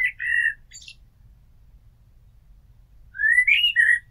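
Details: A common blackbird near a house gives a short fluted warble, falls silent for over two seconds, then starts a rising whistled phrase that ends in a mellow downslurred note.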